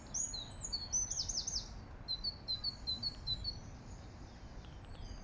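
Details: Great tit singing in Regent's Park, London: a few sharp high chirps, then a quick run of about eight thin, evenly spaced repeated notes, set against a constant low city rumble.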